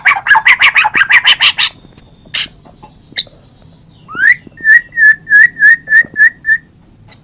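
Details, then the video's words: White-rumped shama singing a fast burst of buzzy notes, a drawn-out thin whistle, then a series of clear upslurred whistles repeated about three times per second, loud and close. "Kompilasi suara MURAI BATU terbaik 2017"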